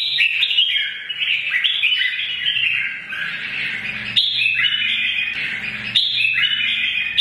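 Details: Red-whiskered bulbul, mature and wild-caught, in a provoking morning fighting song: long sequence of lively, tumbling whistled phrases repeated in three bursts, steady faint hum beneath.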